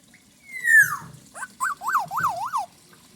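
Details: Black-naped oriole, said to be from the wild, giving a rich song: a long, loud, falling whistle, then four fluty rising-and-falling notes in quick succession.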